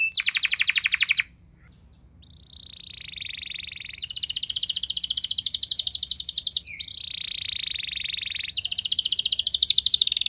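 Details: Canary lure song, long and loud, meant to prompt other canaries to sing: fast rattling high trills in long bursts, a short silence, then steadier whistled trill passages between loud rapid trill trains.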